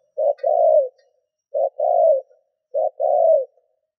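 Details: Spotted dove kept as a decoy, cooing to draw in wild doves: three clean phrases, each a short hoot followed by a longer, slightly falling coo, spaced about a second apart in a quiet setting.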